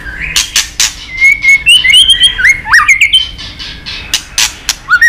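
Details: White-rumped shama provoked into competitive fighting song with continuous tack calls and changing voices: sharp clicks, then a run of bright whistled notes and rising slurs, ending in quick upward whistles.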